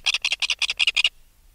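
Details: Red-billed tropicbird adult taken from its nest, recorded close: six harsh, grating double-pulsed notes in quick succession, then sudden silence.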